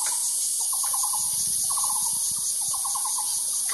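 A Taiwan barbet gives three quick bursts of five or six hollow, mid-pitched notes, over a loud, steady high-pitched drone of cicadas.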